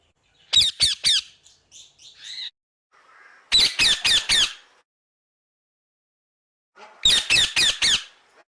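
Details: Parrot screeching in rapid groups of three to four grating squawks, with a few softer squeaky notes between the louder bursts and quiet gaps in between.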